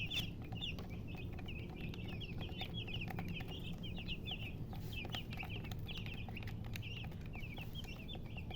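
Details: Busy chirping from chickens, described as murgi hen and color chicken. Sharp, high peeps repeat several times a second without pause over a steady low background rumble.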